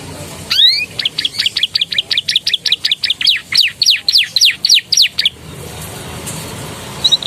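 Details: Canary singing a master song filled with Javan tesia and bar-winged prinia phrases: a steady series of about eighteen sharp, sweeping downslurred whistles, roughly two or three per second, then quiet with faint background hiss.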